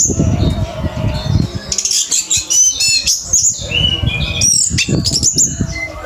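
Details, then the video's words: Orange-headed thrush 'teler hyper' song for training caged songbirds: rapid bursts of high piercing whistles and rasping chatter, with brief pauses between phrases, set against constant low-pitched rumble. "ANIS MERAH TELER HYPER"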